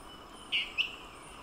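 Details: An elusive Dwarf tyrant-manakin, perched and performing its repetitive call, gives two short, sharp mid-high notes a quarter-second apart over a steady soft hiss of forest background.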